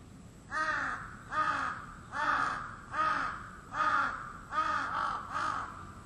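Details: Early-morning crow heard every day from 4 a.m.; six hoarse, grating caws spaced fairly evenly, roughly one each second, over a faint steady hiss.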